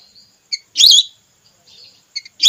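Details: Hunting-lure call of a female whistling duck for red or plain whistling ducks: a short chip, then a loud, high, quavering whistle, soft thin whistling, two quick chips and another loud whistle.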